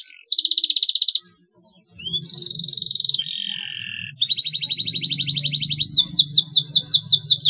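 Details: Canary song played as a lure to get young canaries chirping: buzzy rapid trills alternate with rising whistled notes and a sweeping series of fast descending slurs, with a brief pause and a low hum underneath.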